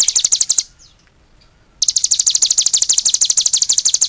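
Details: A vigorously singing cigun gives a rapid high-pitched trill, falls silent for just over a second, then launches into another long run of quick, sharp notes.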